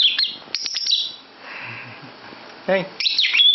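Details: Indoor lovebird chattering in a bedroom: rapid high chirps and flat piping notes in short bursts, a quiet gap with a low murmur, a brief rasping buzz, then another lively run of chirps.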